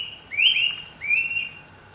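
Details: Bright-rumped attila in Costa Rica giving two loud, rising whistled notes about three-quarters of a second apart, each swelling then trailing off.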